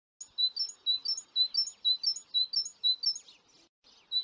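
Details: Recently fledged young great tits, on 25 June 2019, give a quick run of thin, high chirps, roughly three per second, with a brief pause before the series resumes.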